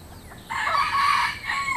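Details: Rooster crowing in the countryside: one drawn-out harmonic crow starts abruptly after half a second, holds a strong, slightly wavering tone, then ends in a brief rising tail, over faint background hiss.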